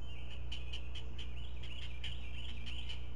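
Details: Breakfast at a great blue heron nest, four chicks fed regurgitated fish singly by a parent; quick rhythmic clacking, about four per second, mixed with nasal chatter over a low hum.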